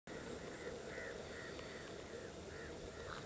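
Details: Greater flamingos (Phoenicopterus roseus) at Kuloorchandai lake, 7 km from Virudhunagar, Tamil Nadu, give faint, nasal goose-like honks in quick succession about every half second, over a steady background hiss and a thin high whine.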